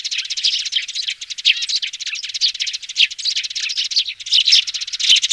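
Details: Sparrow chicks calling, used as a loudspeaker lure: fast, high-pitched chittering made of quick repeated chirps, rising into louder bursts toward the end.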